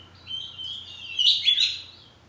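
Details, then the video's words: Oriental magpie-robin kept at home, singing a sustained high whistled phrase that swells into a rough, buzzy burst before fading away. "Kacer ngeplong saut2an || kacer poci rumahan || suara kacerpoci"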